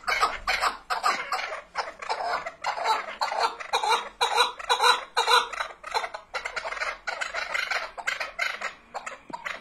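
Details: Chukar partridge delivering a long run of raspy chuck calls, about two per second, rising in loudness midway, then continuing in looser, scattered notes.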